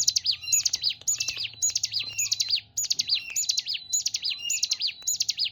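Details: Hill prinia, locally ciblek gunung, giving loud, high, twisting chirp phrases in quick succession, about ten phrases with brief pauses, thin notes sliding down and up, over a low steady hum.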